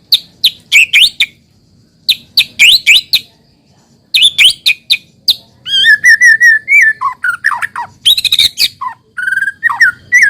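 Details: Shama song played as a lure so raw shamas start singing: clusters of sharp chips and whistles, then a long varied warble of wavering whistles and slurred notes.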